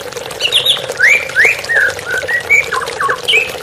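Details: White-rumped shama song with running water in a therapy recording: high twittering notes, then strong upslurred whistles and a few level whistled notes, ending in brief buzzy notes, over a water hiss.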